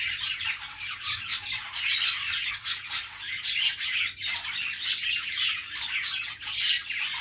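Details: Budgies chirping: continuous high warbling chatter punctuated by louder clicky chirps that come irregularly, roughly every second or two.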